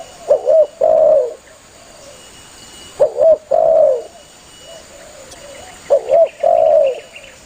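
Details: Spotted dove calling to its companions, played to attract doves when hunting; three repeated phrases roughly every three seconds, each two clipped hoots followed by a longer falling coo, with quiet echo-like coos and a steady high tone.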